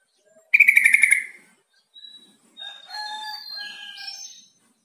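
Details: Yellow-vented bulbul call meant to make a kept bird answer and start calling. A loud burst of rapid, harsh repeated notes comes first. After a short pause, several clear whistled phrases at varied pitches follow.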